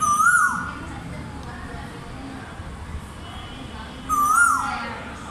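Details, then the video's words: Koyal, the Asian koel, giving a short rising whistled call, then a matching call about four seconds later, over a quiet hissing background with faint high wavering overtones. "koyal bird 🐦 sweet voice"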